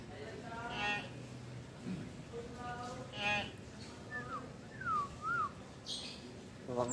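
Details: Common hill myna calling in a vocal contest against another hill myna: clear pure whistles, one sliding down and a wavering rising-falling pair, among low voice-like mimicked sounds and background noise.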